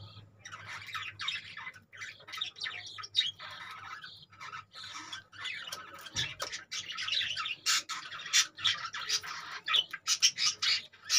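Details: Budgerigars kept in cages keep up harsh, buzzy chattering and squawks in a dense overlapping stream, low hum in the background.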